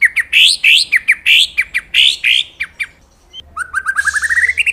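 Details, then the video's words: Champion-class white-rumped shama song, energetic caged bird: rapid series of loud rising whistled notes, then a quick accelerating run of short upward chirps with a buzzy overtone, faint low hum beneath. "Kompilasi Materi Mewah Murai Batu Auto Juara"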